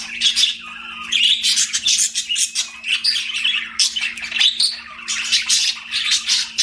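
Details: Chattering budgies kept as pets, a lively run of scratchy warbles, buzzy squawks and short whistled chirps, several birds calling over each other nonstop, faint hum in the background.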